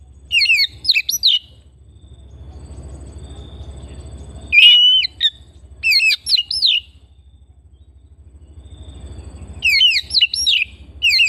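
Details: Household Oriental magpie-robin delivering bursts of fast, looping whistled notes mixed with higher chirps, several phrases separated by quiet gaps, a steady low drone behind.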